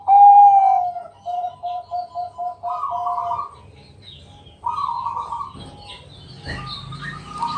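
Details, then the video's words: Zebra dove, Bangkok type, singing at night as a lure: a loud opening coo, then a string of evenly spaced short pulsed notes, two higher trilled bursts, and a closing rustle or knock. "Pancingan malam hari Perkutut Bangkok..Suara Penghilang Stress Burung Perkutut"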